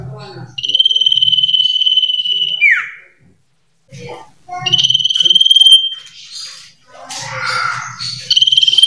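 Common iora sings long, steady high whistles, one ending in a sharp downward slur, then a burst of varied chattering notes. A low hum runs underneath.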